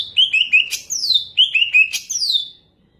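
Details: Caged Banyuwangi greater green leafbird in full song, two phrases of choppy whistled notes stepping downward and closing with a sweeping descending slur, then the song stops; faint low rumble beneath.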